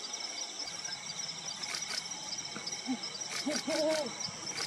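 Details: Brown wood owl, a dense lowland forest bird, delivering a short burst of low reverberating hoots late in the recording after a faint single note, with steady insect buzz and several sharp clicks.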